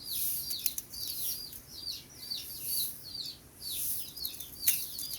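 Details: Sooty-headed bulbul in the morning: rapid series of sharp, down-slurred high chirps, roughly two to three per second, under a pulsing very high shrill hiss that swells and fades.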